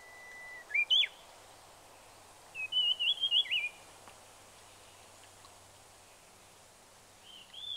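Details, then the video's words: At Shimen Reservoir in Taiwan, a Red-breasted flycatcher gives a short, sharp up-and-down note, then a rapid, wavy warbled trill of about six notes, followed by silence and one more brief call. "紅胸鶲/Red-breasted Flycatcher"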